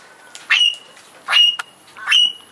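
A little corella gives three harsh, screechy squawks, each about half a second long and spaced roughly every eight-tenths of a second.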